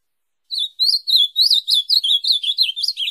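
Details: Ultramarine grosbeak singing, recorded for training a pet grosbeak: after a brief pause, a quick string of slurred, bouncing whistled notes, about three a second, runs on without a break to the end.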